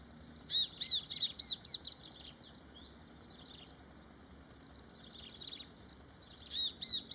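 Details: Two Chestnut-capped Babblers hidden in rice-field vegetation in Prachuap Khiri Khan, Thailand, on a 2025 morning give quick bursts of short, high, thin notes, three or four a second, pausing and resuming, over a steady insect-like hiss.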